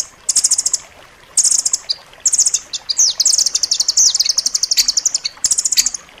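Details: Master song of rambatan loreng, dense and sharp, for pet birds to learn: shrill fast trills in repeated phrases, building into a long rattling run of high clipped notes.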